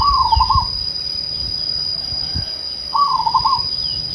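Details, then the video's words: Two soft rolling coos from a zebra dove, each a quick quavering trill lasting about half a second, separated by a long gap, with a constant high tone and low murmuring noise behind. "suara teduh burung perkutut"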